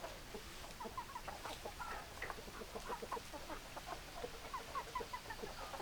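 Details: Chickens, hens and roosters together, with many short clucking notes overlapping in quick succession, some higher squeaky clucks rising above a dense, constant farmyard noise.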